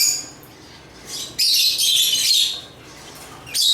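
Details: Shrill high chattering from African lovebirds (Agapornis), faint at first, then a loud buzzy burst lasting about a second, a quieter pause, and another sharp outburst at the end.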